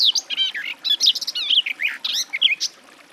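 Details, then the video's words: Garden warbler singing a dense, hurried warble of sweet whistled and slightly harsh notes, with quick upward and downward slurs over about three seconds. "Warbler garden, birdsong"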